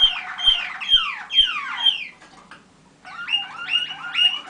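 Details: Young Waterslager (Malinois) canaries from 2010 singing at a listening session on 25 November 2010; four loud descending whistled sweeps, a short pause, then three rising-falling watery phrases.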